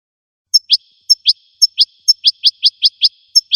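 American goldfinch giving high, thin paired notes, a bright chip then a quick slurred twitter, repeated in a rapid run against a silent background.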